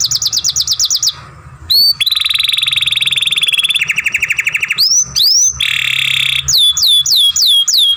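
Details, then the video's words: Song of a young canary recorded for masteran training: fast chopped whistles, a sharp upswept note, a long even buzzy roll, a rapid pulsed trill, then arched whistled notes and more buzzing. "Young Canary Masteran, Long Sounds Grumbling"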